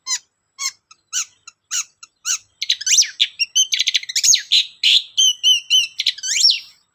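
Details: Long-tailed shrike singing as a lure to get other shrikes singing: thin, spaced whistled notes, then a dense, varied run of chirps, trills and sweeping whistles, as if mimicking other birds.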